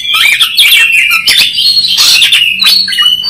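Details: Fighting Oriental magpie-robin with its tail open pours out a dense tangle of sweet whistles and buzzy, scratchy trills without a pause.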